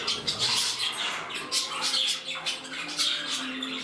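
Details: Budgerigars kept indoors in a new home, one growing temperamental. Short, harsh squawks and high chirps repeat irregularly, about forty a minute, over soft background chatter.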